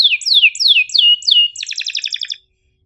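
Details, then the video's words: Canary song from a training recording meant to teach young or reluctant canaries to sing: five sharp, high whistles sweeping downward, about three per second, then a fast, buzzy trill of repeated notes. "KENARI GACOR PANJANG EPS24 Cuit NgeroL TAJAM"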